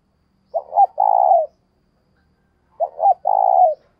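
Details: Decoy spotted dove repeating its coo to stimulate other birds: two matching phrases about two and a quarter seconds apart, each two quick low notes followed by a steady, drawn-out, falling coo, on a quiet background.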